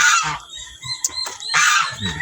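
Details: Backyard domestic turkey, where a mother hen is being kept, giving loud harsh honking calls with rasping, noisy overtones. Two strong bursts come at the start and after a short pause, with soft low grunts and clicks between them.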